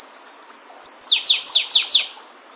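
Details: Complete song of a wild flavescent warbler, known locally as canário-do-mato or pula-pula: thin high repeated whistles that quicken, ending in four loud, rich downslurred notes.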